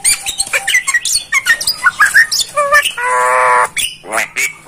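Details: Sought-after starling masteran song: a rapid jumble of short chirps and squeaky notes, then a sustained, nasal, harmonic-rich buzzy tone lasting almost a second, followed by more chattering fragments.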